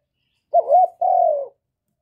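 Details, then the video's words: One spotted dove cooing phrase, played to stimulate newly kept birds: a wavering low hoot that rises slightly, then a drawn-out mellow note that gradually falls. "Tiếng cu Gáy Kích chim mới nuôi hiệu quả, cu gáy gù cực chất"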